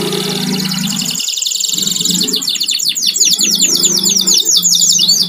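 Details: Home-kept canary heard through a noisy background: a high buzzy roll followed by a rapid run of repeated descending whistled notes, with a low hum and rumble throughout.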